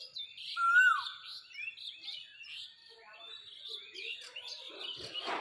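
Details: In spring, an Asian koel sits in a tree and gives one loud whistled note that rises and then drops. Other small birds keep chirping and trilling around it.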